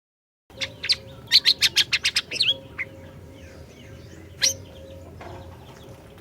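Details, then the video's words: Orange-bellied leafbird in persistent song, used as a lure to get a silent bird singing: a fast run of sharp high chirps about twice per second, then a lone loud chip and softer twitters over a steady low hum. "Masteran Burung Siri Siri Gacor, Cocok Buat Pancingan Burung Siri Siri Macet BUNYI"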